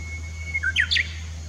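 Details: Japanese bush warbler at Komatsugaike pond on 16 June 2016: a long, steady whistled note, then a quick pair of higher, swooping slurred notes, over a constant low hum.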